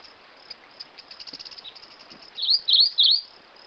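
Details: Rufous-crowned Greenlet song: after faint high ticking, three quick, clear, high notes, each dipping and rising, about a third of a second apart at the end.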